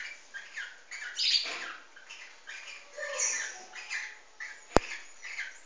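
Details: Cockatiels mating, an albino paired with a white-faced bird, giving soft, raspy, scratchy chatter in uneven bursts with brief louder squawks and a sharp click near the end.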